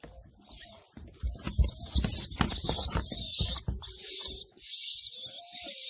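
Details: Racing pigeons in a loft, with adults feeding their young: shrill, piercing squeals come in long, wavering bursts. They mix with rustling and wing flutters, and a faint low coo sounds under them.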